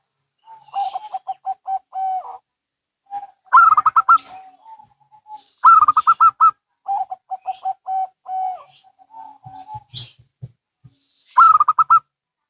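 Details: Local and Bangkok zebra doves calling in reply to one another; a steady staccato low-coo phrase alternates with brighter, higher rapid coo bursts, repeated roughly every two seconds, with faint thumps.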